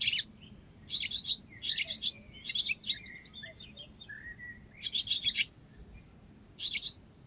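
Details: Barn swallow in Cincinnati, Ohio, gives bursts of high, scratchy twittering chatter, several quick buzzy notes roughly every half second, with thin slurred whistles between and a faint low hum behind.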